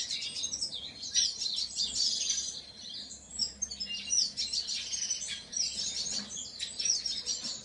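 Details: Painted bunting: steady, high-pitched twittering with quick warbled notes packed closely together, rising and falling in loudness throughout.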